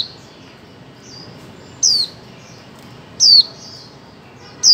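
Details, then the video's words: In a 2024 recording meant to stimulate mute birds to sing, a female white-eye gives three piercing, high, falling notes about one and a half seconds apart, with faint soft chirps between them. "Khuyên mái 2024 hàng giành cho chim câm"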